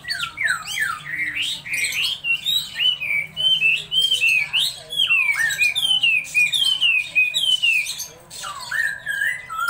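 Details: Laughingthrush in full, loud song: a long, varied stream of rich whistled notes, sweeping up and down, with swooping slurs and short squawky accents, heard close in a small room.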